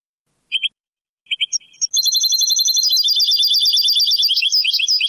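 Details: European goldfinch performing Moroccan Sebtaoui style song, digitised from an old cassette of the late 1990s and early 2000s: a few separate chirps open into a rapid, sustained, high-pitched twittering trill with tinkling repeated notes.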